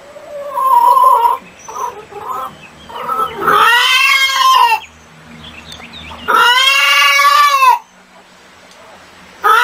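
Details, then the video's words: Chickens in a mixed chorus: softer broken clucks, then two long, loud, arching squawks separated by quieter murmuring, with another call starting at the end. "SOM DE GALINHAS 🐔 - CACAREJANDO"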